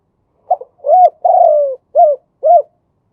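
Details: Male spotted dove cooing in the Thai 'khu ang khan yon two kuk' style. A short opening note leads into an arched coo and a long, drawn-out falling coo, then two rounded coos. The setting is silent.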